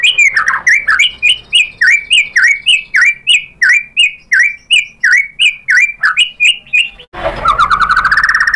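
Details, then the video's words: White-rumped shama lure song for drawing other shamas into singing: a long, regular series of sharp rising-falling chirps about three per second, then a brief rattling trill. "KICAUAN MURAI BATU memancing BUNYI jadi NYAUT GACOR"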